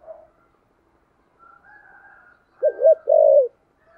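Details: Spotted dove 'thúc gù' cooing in the 'thổ sấm' style: faint soft murmurs, then one loud phrase of two rounded hoots followed by a long, even, low coo.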